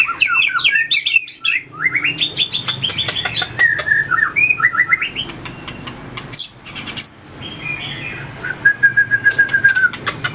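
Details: White-rumped shama in training for contest-style fighting song, flicking its tail and hopping along its perch: rapid varied whistled phrases, rising and falling slurs, ending in a long level whistle, with sharp clicking snaps between notes.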